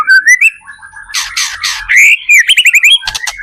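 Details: White-rumped shama song used as a lure to prompt other shamas to sing back: rich varied phrases mixing clear rising whistles, harsh buzzy bursts and rapid repeated chirps, some with a faint low hum beneath.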